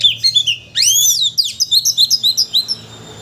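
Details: Provocation song of a white-rumped shama: a loud sweeping upslurred whistle, then a chain of about ten quick, evenly spaced high chirps, bright and ringing, played to make a shama sing its full repertoire.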